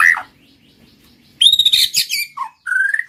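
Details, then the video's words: White-rumped shama, recorded as a trigger to make other shamas sing: a varied phrase of high, rich whistles and harsh chattering notes, then a low dropping note and a smooth rising whistle. "PANCINGAN BURUNG MURAI BATU MACET BUNYI"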